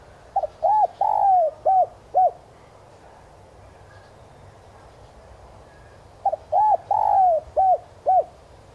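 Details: Spotted dove used as a lure bird, cooing in the 'son' voice style to excite wild doves. Two similar phrases about six seconds apart, each of five low hooting coos with a long, downward-sliding centre note.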